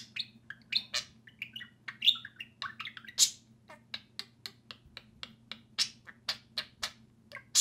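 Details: Two social budgerigars kept indoors chatter while playing: rapid run of sharp chirps, rasping notes and short squeaks, steady and busy throughout, with background hum.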